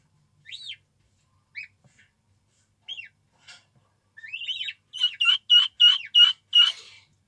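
Guineafowl keets give high, arched peeps, scattered at first, then a quick run of six bright chirps about three a second.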